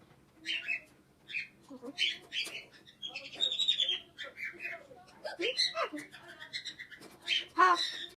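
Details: A parrot gives a steady string of chattering, speech-like syllables mixed with sharp squawks and bright whistled notes, some rising or falling, in short bursts about every half second, louder near the end.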